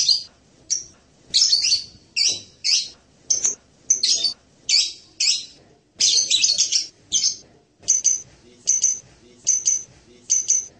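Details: Blue-crowned hanging parrot giving a steady run of piercing high chirps and squeaky bursts, about one each second, the later notes thinner and more whistled.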